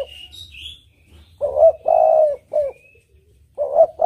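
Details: Spotted dove with a clear, melodious song suited to luring: after faint high chirps from another bird, a rising coo, a long coo and a short coo follow, then the phrase begins again.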